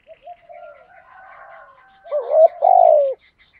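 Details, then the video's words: Spotted dove calling to draw rival doves: faint murmured coos lead into a loud rising double coo and a long drawn, slightly falling note; light twittering of small birds in the background. "cu gáy thúc gù gáy gọi bổi nghe rất nhanh về cội đấu"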